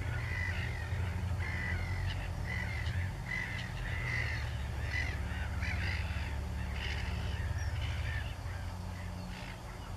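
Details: Grebe parents with young and fish, recorded 14 May 2016, give short, harsh mid-pitched calls in quick bursts, several a second, over a steady low rumble of wind.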